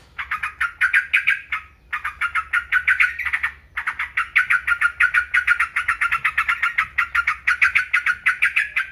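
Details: Rapid, buzzy chatter of a yellow-vented bulbul, doubled notes repeated about three times a second in long runs broken by two brief pauses; faint low hum beneath.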